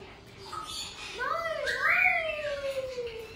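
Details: A female black-headed caique, relaxing on a swing, gives a drawn-out, nasal, wavering call lasting about two seconds, rising and dipping in pitch after a softer short note.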